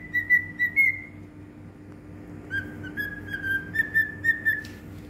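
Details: Cockatiel in Bahrain singing: clear whistled notes near one pitch, a held tone then a run of short repeated whistles rising slightly, with a steady low hum behind.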